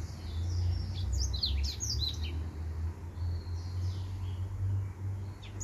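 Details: Singing male finch gives a cluster of high, fast, downward-sweeping chirps in the first two seconds, then fainter scattered notes, all against a loud constant low droning hum.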